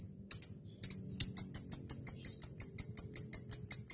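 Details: Lovebird calling a rival, a recording used as a lure: after a few scattered clicks, a regular series of sharp, piercing high chirps, about four per second, evenly spaced.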